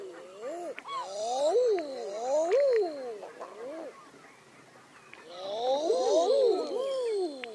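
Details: Common eiders in two bursts of crooning calls, many overlapping arched coos rising and dipping, separated by a quieter gap, with faint higher chatter from other birds.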